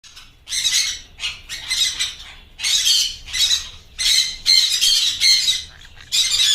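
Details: A blue yellow-sided conure in Pune gives harsh, grating squawks in quick bursts, about eight in six seconds, with brief pauses between.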